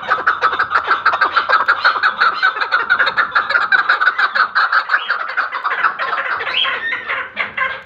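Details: Chukar partridge giving fast, steady clucking calls, about three notes a second, harsh and mid-pitched, in a continuous chattering series that thins slightly toward the end.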